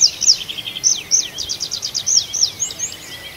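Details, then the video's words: Night forest birdsong from Arkhangelsk Oblast, June: a busy run of very high chirps, quick downslurred notes and short rapid trills, tumbling over one another with little pause, over a soft hiss. "Пение птиц в ночном лесу"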